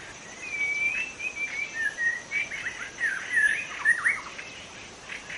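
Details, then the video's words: Young wild white-rumped shama in forest singing long sweet warbling phrases, with smooth sliding whistles flowing into twisting notes and a few sharp accents, over faint high insect noise. "Kicau murai muda hutan"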